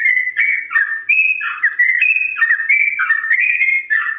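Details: Ropel song of a yellow-vented bulbul at slow pitch, meant for other birds to imitate: rhythmic, bubbly whistles bouncing between two pitch levels with brief slurred drops.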